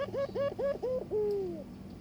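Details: A courting Barbary dove inviting its mate to pair: four quick hooked coo notes in a row, then a single long, clear tone that slides gently downward and fades.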